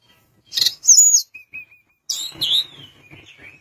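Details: Sunda minivet in lively song meant to rouse rivals: sharp high chirps followed by short thin whistled notes, then a bright downslurred whistle and softer trailing notes, with quiet gaps between.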